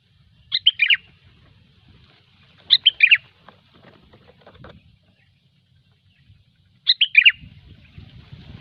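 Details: Sooty-headed bulbul singing in gecor style, a lure recording: a quick bubbly phrase of three or four notes stepping downward, given three times about two to four seconds apart, with faint rustling between.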